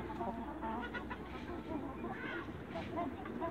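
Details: Short, abrupt clucks and brief squawks from young Light Brahma chickens kept in a backyard, with a low background hum and faint voices.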